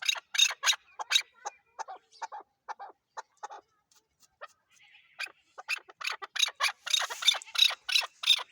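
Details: Chukar partridge, Pakistan's national bird, giving harsh, clucking chuck notes about three a second, pausing midway, then building into a faster, louder run.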